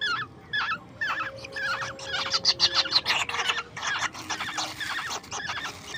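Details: Baby birds fed at home at night: rapid series of short, chattering, downward-sweeping chirps, several per second, with louder raspy notes in the middle, under household background noise.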